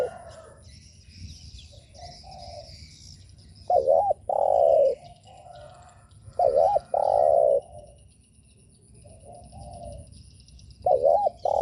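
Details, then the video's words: Spotted dove coo played to provoke other doves, repeated three times over about twelve seconds, each a wavering double note then a long steady coo, with softer distant coos and high bird chirps between. "Chim cu gáy gù mở lên kích bổi cực hay"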